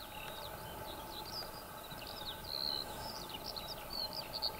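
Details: A Eurasian skylark (Alauda arvensis arvensis) singing on the ground pours out a fast, unbroken stream of high chirps, trills and thin whistles, over a steady low rumble of wind or distant traffic.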